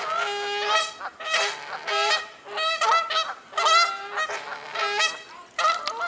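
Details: Several Canada geese honking loudly while fighting each other, rapid overlapping nasal honks in near-continuous bursts, harsh and raucous throughout.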